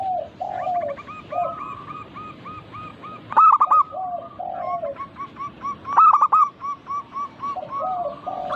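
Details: Chorus of local zebra doves meant to coax other birds into song: two loud clusters of quick staccato coos stand out against steady rows of fainter hooked notes and lower, drawn-out cooing from neighbouring birds.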